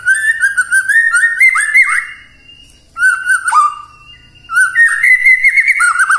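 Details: Morning lure song of a white-rumped shama, played to goad quiet shamas into singing, with rich varied whistles, quick slurred notes and short chattering bursts in several phrases separated by brief pauses.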